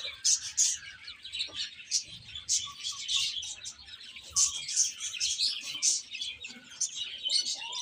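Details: A group of baby chickens, eating and playing, keep up constant shrill peeping, sharp high chirps rising in loud clusters roughly every second over faint background noise.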